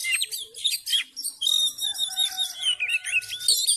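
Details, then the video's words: Oriental magpie-robin, a male in full fighting mode provoking other males: rapid varied song of sharp whistles, rising and falling sweeps and buzzy trills, with short bright notes packed closely together and a long sustained whistled tone near the middle. "KACER FULL TARUNG DAN NGOTOT MEMICU KACER LAIN CEPAT FIGHTER"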